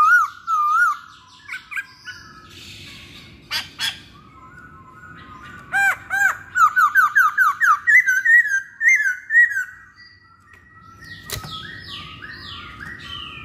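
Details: Masked laughingthrush lure song to prompt other birds: clear whistled phrases, then a fast burst of about ten repeated looping notes rising in pitch, a pause, and a few buzzy high squeaks.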